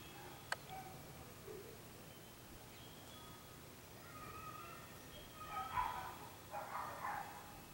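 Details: Red-breasted (green-billed) toucan, Ramphastos dicolorus, in a garden holding a fire caterpillar in its bill, gives two short bursts of harsh croaking calls near the end, after a quiet stretch with a sharp click and faint tonal notes.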